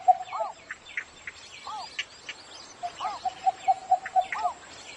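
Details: Cinnamon bittern in the morning giving short arched, rising-falling notes spaced about a second apart, then a quicker string of clipped knocking notes, while several other birds chirp faintly in the background.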